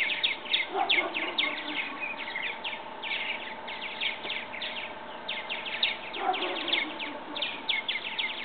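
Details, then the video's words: Young purple martins, old enough to leave the nest in a backyard bird house and test their wings; dense bursts of short, scratchy, down-slurred chirps repeated rapidly throughout, overlapping from several birds, with a steady low background hum. "Purple Martin birds leaving their nest"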